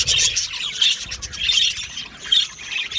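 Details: Colony of budgies in an aviary, overlapping squeaky chirps and raspy warbled notes in pulsing clusters roughly every second.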